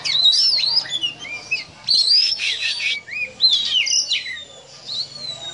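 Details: Oriental magpie-robin (kacer) singing in the 'ngobra' style, said to sound like a snake. Rapid whistled phrases rise and fall, broken by rasping, hiss-like noisy bursts. Short phrases are separated by brief pauses.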